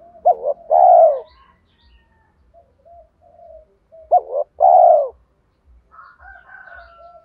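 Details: Spotted dove calling loudly to draw in wild doves: a short two-note stutter then a long warm coo, given twice, with faint soft coos and a thinner higher call near the end.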